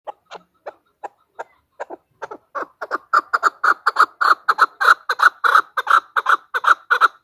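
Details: Female chukar calling, used as a hunting lure: a series of clucking chuk notes that begins sparse and quiet, then speeds up and grows louder into a rapid, steady chatter of about three notes per second.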